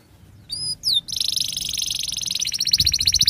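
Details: Canary opening with two clear whistles and a slurred note, then launching into a long, fast, buzzy trill that grows steadily louder; sung as a prompt to teach young canaries to sing.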